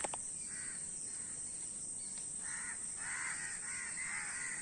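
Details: Crows giving a few scattered caws at first, then a denser run of harsh, nasal calls toward the end, over a steady background hiss.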